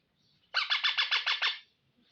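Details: A pet ringneck parrot gives a quick run of seven harsh, raspy notes, evenly spaced and lasting about a second, with nothing else to be heard.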